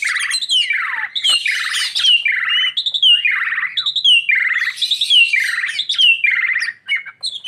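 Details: Lovebird in full, lively 'gacor' chirping described as melodious: loud, nonstop series of high, downward-sliding chirps and squeaky notes, phrases repeating roughly every second with no background sounds.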